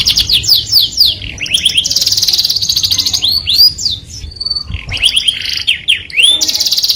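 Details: Canary singing its melodious song to attract the opposite sex: quick descending whistles, a dense buzzing roll, curling notes and a held tone, ending in another fast rattling trill.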